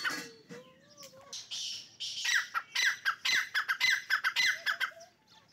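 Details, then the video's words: Partridges known as dakni teetar fight. The clip opens with rising whistled tones, then breaks into a fast run of harsh, pulsed squawks, about two per second, before fading. "dakni teeter ki jung kia ho gia"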